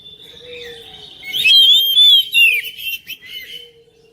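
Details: Oriental magpie-robin song used to coax a quiet bird to sing: a brief loud burst of clear whistles sliding up and down, then a few softer twittering notes fading out, with a faint steady hum.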